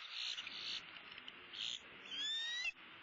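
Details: Sunrise feeding at a Southwest Florida bald eagle nest, 6 February 2016. Loud, harsh, rasping bursts come first, then a thin, clear whistle that rises slightly before cutting off abruptly.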